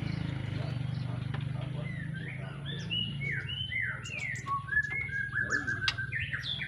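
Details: Young white-rumped shama from Petarukan, Pemalang, freshly moulted from juvenile spots, giving a varied string of slurred whistles and quick chips against a steady low rumble of background noise.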